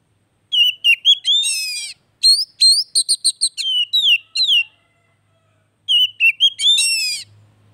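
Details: Oriental magpie-robin song used to prompt a silent bird into singing again: rich phrases of whistles, quick upward and downward slurs and twittering notes, delivered in three bursts with short pauses between.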